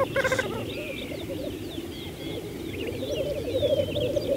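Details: Spring 2014 lek of black grouse on Saaremaa, Estonia: a steady low bubbling chorus under a noisy background, one short sharp burst near the start and scattered high whistled notes from other birds.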